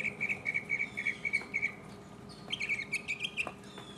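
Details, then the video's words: Solo mockingbird song from 2015 opens with a rapid series of short, evenly repeated high chirps, pauses briefly, then switches to a different fluttering, rising phrase of quick notes over a soft background hum. "mockingbird Solo 2015"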